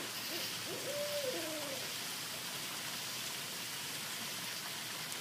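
A great horned owl gives a short series of soft, low hoots early on, over a steady hiss like rain.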